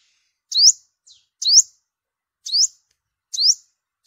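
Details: Yellow-bellied olive-backed sunbird, five-coloured, used as a lure in migration season: four bright rising slurred whistles about a second apart, each dropping off into a brief faint tail note.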